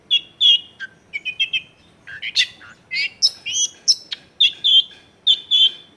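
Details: Long-tailed shrike in full song, used to coax other shrikes into singing, recorded in a densely populated neighbourhood: varied whistled and chirping phrases, some rising and some falling, delivered rapidly in a busy run.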